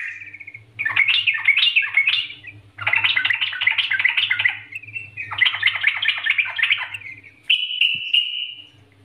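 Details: Yellow-vented bulbul master song in the energetic NGGARUDA style, used to lure other bulbuls into singing: long dense bursts of warbled, chattering notes rising and falling, ending in a sustained whistle, over a faint electrical hum.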